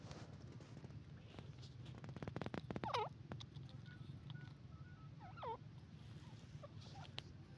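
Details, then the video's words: Grey francolin calling: two ringing, harmonic notes that swoop down and curl back up, a few seconds apart, with sharp clicks and a steady low hum in the background. "teeter ke boli grey partridge sound teeter voice"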